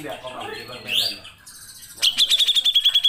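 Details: Grey-cheeked bulbul in full song for songbird training: a rising slurred whistle, a quiet gap, then a rapid run of ringing, even-pitched pulsed notes repeated about five times a second.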